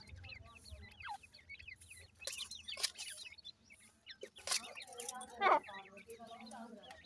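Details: Irani teetar francolin chicks chirping in quick, wavering high notes, several overlapping, broken by loud clatters and thumps partway through.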